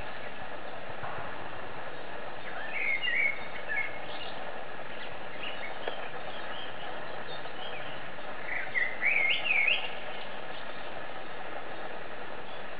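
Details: Eurasian blackbird singing while perched on a branch: two short fluty, warbling phrases about six seconds apart, each rising and falling, over a steady low background rumble.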